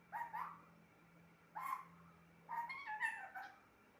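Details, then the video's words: Pet parrot talks in brief harmonic bursts: a double syllable, a single word-like call, then a longer wavering phrase, over a faint low hum. "Talking parrot"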